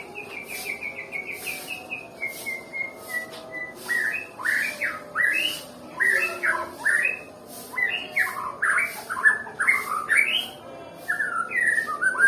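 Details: Reluctant-singing white-rumped shama from Nias starts with a fast string of short even whistles, then switches to loud, jumbled rising and falling chirps in rapid bursts for about eight seconds.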